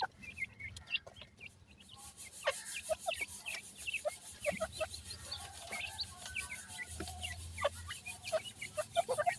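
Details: Feeding grey francolin chicks making thin, high downslurred cheeps at irregular intervals, joined by rubbing and handling noises, a faint steady hiss, and brief low thumps.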